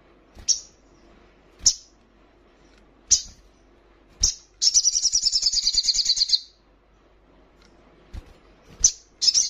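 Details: Female hill prinia in breeding condition calling to a male: sharp, very high single notes spaced about a second apart, then a rapid buzzy trill lasting nearly two seconds, followed by more isolated high notes.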